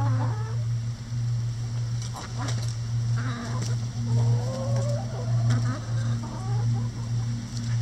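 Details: Chickens in a run peck at a hanging cabbage ball. Soft, drawn-out clucks and short rising notes come at irregular intervals over a loud, steady low mechanical hum.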